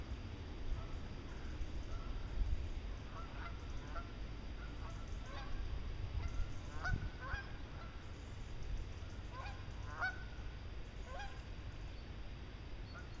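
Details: Newly arrived migrating wild geese resting in Meerbusch, Germany before moving south keep up a steady chatter of short nasal honks and yelps, many birds overlapping, over a heavy low rumble of wind or traffic.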